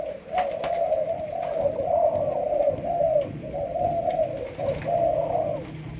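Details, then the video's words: Malaysian spotted dove, a young bird being trained as a decoy, gives a steady series of low, throaty, rolling coos run closely together, with a soft background hum. "Cu Malaysia. Chim tơ nổi, tập lên mồi"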